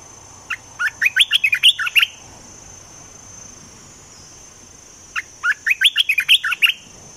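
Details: Olive-winged bulbul kept caged as a decoy for trapping: two bursts of quick, bubbly chirped notes, each about one and a half seconds long, separated by a pause of roughly three seconds, over a thin steady high whine.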